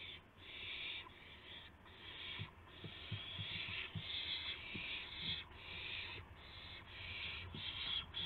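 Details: Dawn at an owl nest on 26 March 2016, with a gopher and then a mouse brought in as prey. Long, raspy hisses follow one another with short gaps, and soft low thumps sound underneath.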